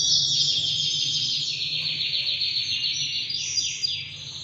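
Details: Two-year-old male Spanish Timbrado canary, half frill and ready to breed, pouring out a continuous high buzzy rolling song with fast trilled segments, accompanied by steady low background hum.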